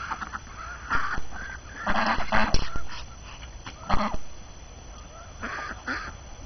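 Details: Flock of domestic ducks on a snowy January morning, hungry after being cooped up; loud clusters of harsh honking quacks, several birds calling together, then quieter gaps, over a low steady rumble.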